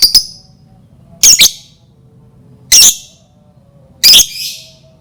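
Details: Lovebird calling as a lure to set other lovebirds singing: four loud, shrill, harsh screeches, some doubled, spaced about a second or more apart; otherwise quiet.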